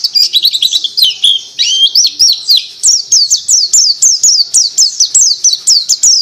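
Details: Sooty-headed bulbul (pleci) delivering a continuous high twittering song, opening with fast jumbled chirps and trills, then settling into a steady series of sharp, down-slurred whistles repeated several times a second.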